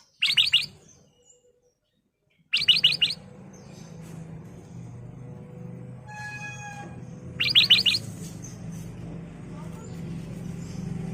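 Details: Lure song of the ruby-throated bulbul (kutilang emas) for caged birds: three separate bursts of fast, sharp chirps, with a steady low hum and a brief tonal ringing between them.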